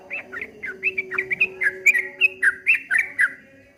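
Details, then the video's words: Streak-eared bulbul (trucuk kebo) singing in the ropel ngombak banyu style: quick run of short chirpy whistled notes, rising and falling, roughly four per second, with a steady low hum behind. "suara burung trucuk kebo bunyi ropel ngombak banyu"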